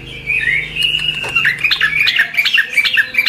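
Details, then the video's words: Chestnut-capped thrush in vigorous song for training caged songbirds: a long whistled note, then quick repeated slurred chirps at a steady pace, over a low mechanical hum. "Suara Burung Anis Kembang | Gacor"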